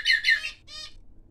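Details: Silver cockatiel giving two harsh, grating squawks in quick succession, followed by a softer, raspy third note, then quiet room background.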